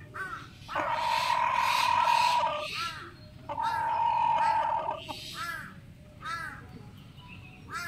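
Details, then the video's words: A rooster crows twice, each crow a long, loud, held nasal note of about two seconds, with shorter arched squawks between them. "Rooster crowing"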